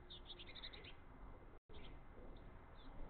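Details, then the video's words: Three hungry Eurasian blue tit chicks begging as their father feeds them mini-mealworms; a quick run of short, high chirps in the first second, then a few scattered faint chirps over steady low background rumble. "3 Baby blue tits want mini-mealworms."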